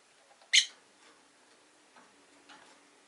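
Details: A pet rosy-faced lovebird in a cage by a window gives one short sharp chirp, then faint softer sounds over background noise.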